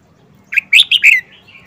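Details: Wild-caught adult red-whiskered bulbul, caged and kept four months, delivers one of its characteristic song phrases: a quick run of four clear, warbled whistles, rising then falling at the end, followed by a faint lingering note.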